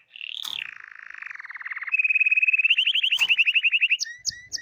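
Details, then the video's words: Canary of the Hipi type in continuous song: a whistled slide drops into a low buzzy roll, then a long, evenly pulsed trill of rapid notes, closing with a few sharp high chirps. "The wonderful canary tweet تغريد الكناري من نوع هيبي"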